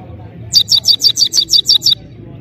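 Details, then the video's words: Goldfinch singing loudly: nine crisp, high-pitched notes delivered in a fast, steady repeated string, with low background rumble. "Just crazy gold finch singing"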